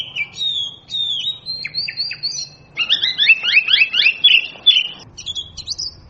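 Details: Oriental magpie-robin giving loud, sharp whistled notes, then a rapid run of high swooping phrases in the middle, ending with thin bright whistles, against a quiet background.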